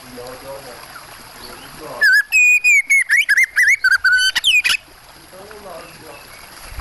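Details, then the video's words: Oriental magpie-robin (kacer) singing over a background of water sounds: a loud run of clear, piercing whistled notes, some sliding and some buzzy, repeated rapidly for about three seconds before stopping. "Suara burung kacer plus suara air terbaru"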